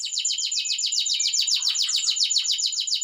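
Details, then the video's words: Canary singing loudly: a fast, even trill of high descending notes repeated about four times a second for the whole stretch, bright and piercing, with no other sounds. "burung kenari suara keras"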